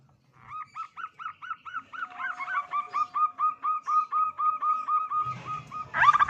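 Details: Local wild-type zebra dove, a frequent singer with a big voice in the 'kung' song style, used to lure other doves into singing. A long run of rhythmic, hooked coo notes repeats about twice a second, ending in a louder rough burst.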